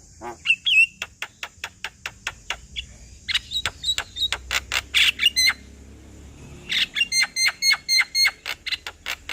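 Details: Male Javan myna voice intended to get a reluctant myna singing: long sequences of rapid, evenly spaced dry clicks, with brief whistles and harsh notes between them.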